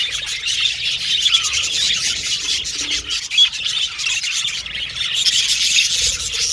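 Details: A group of budgerigars chirping: steady, bright twittering and warbled chatter from several birds, with an occasional louder single chirp cutting through the busy chorus.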